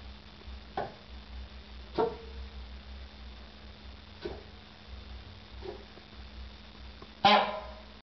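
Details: Young male peacock practising his voice: a handful of short, harsh, honking calls at uneven intervals, the strongest one near the end, set against a steady low hum and background noise.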